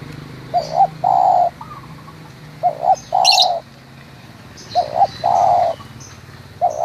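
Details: Spotted dove, a local bird, from Munjung Agung village in Kramat, Tegal, repeating its cooing phrase of two quick notes and a long rolling coo three times, with brief chirps from other small birds.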